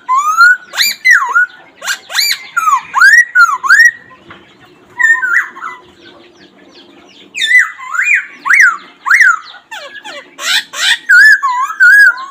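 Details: Black laughingthrush calling freely: bursts of loud, sharply arched whistles, each rising and dropping, grouped in runs of four or five with a short quiet pause mid-way, plus scattered clicks.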